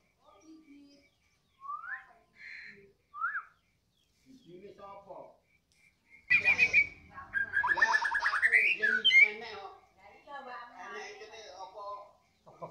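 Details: After being fed, a 'balak 6' white-rumped shama gives a few isolated rising whistles, then a loud burst of rapid rising note series mixed with harsh chatter, followed by softer warbling.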